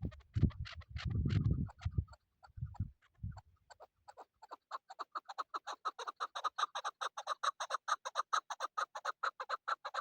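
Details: Chukar partridge kept for hunting. After four seconds of low rumbling and thuds, a long run of short clucking chuk notes begins and speeds up into a steady, rapid series that carries on to the end.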